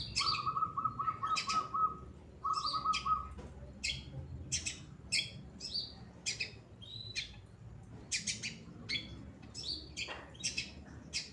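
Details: Long-tailed shrike of the pastol type singing actively, recorded as a training song for other cage birds: a run of steady repeated mid-pitched notes, then sharp high chips and varied bursts at irregular intervals.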